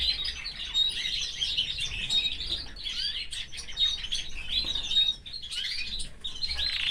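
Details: Belgian canary (Serinus canaria domestica), a male kept caged with his family, sings a continuous stream of bright, high chirps and rolling trills with quick slurred notes; other birds may chirp alongside.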